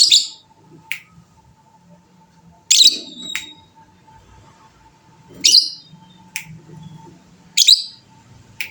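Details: Fighter-type lovebird, kept by bird hobbyists who prize its long 'ngekek' chatter; a few harsh raspy bursts and brief sharp chirps spaced a second or more apart, over a steady faint hum and soft low rumble.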